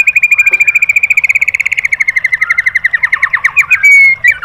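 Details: Caged-bird training song of a white-rumped shama: a fast, buzzy high trill that slows into separate notes, followed by a few harsh, squeaky phrases at the end.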